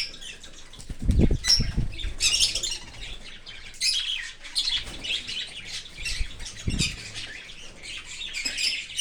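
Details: In an open aviary, a cockatiel parent feeds its baby from outside the nest. Raspy, hissing chirps come in clustered bursts, broken by a few deep thuds.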